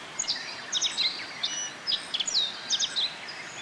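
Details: Japanese white-eyes feed on bottlebrush nectar at a forest botanical garden in Kobe, Japan, on 14 June 2018, on a fine day within the rainy season. They make clusters of high, thin twittering notes, some sharply slurred downward, in quick groups every half second or so.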